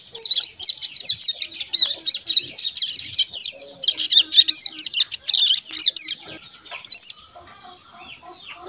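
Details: One-month-old caged crescent-chested warbler practising early song: a steady chatter of rapid, high, buzzy chirps lasting several seconds, then one final chirp and quiet.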